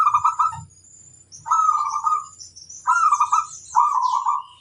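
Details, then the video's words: Local zebra dove in full song, challenging rivals: four short trilled, burry coo phrases, mid-pitched and each under a second, spaced about a second apart, with faint high chirps from other birds above. "Suara burung perkutut bikin lawan emosi - koar koar nantang musuh"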